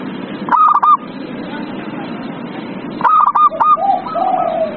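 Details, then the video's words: Zebra dove, heard as a lure to get a reluctant dove singing: two bursts of quick, staccato ringing notes, the second followed by a lower, drawn-out cooing phrase, with gentle hiss behind. "Pancingan perkutut paling ampuh | perkutut males bunyi"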